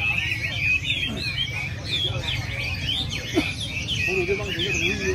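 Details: Chinese hwamei in weekly song training in early December gives a rich run of whistled, warbling phrases with quick downward slurs, plus lower notes near the end, over a low rumble.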